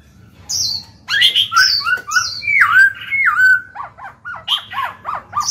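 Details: Black-throated laughingthrush, a kept songbird, singing in a way meant to stimulate young birds to start singing: a loud, varied run of harsh, squawky and slurred whistled phrases, some high and sharp, then a quicker series of rising notes near the end.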